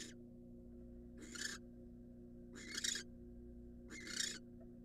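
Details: Louder, rasping hiss-screeches from a wild barn owl incubating in a nest box, three full bursts about one and a half seconds apart, over a low hum.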